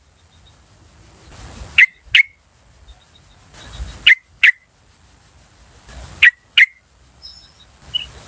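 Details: Wild yellow-vented bulbul calling, recorded in nature to lure others: three pairs of sharp, abrupt "cuk" notes spaced about two seconds apart, with a continuous high-pitched whine and soft rustling noise behind.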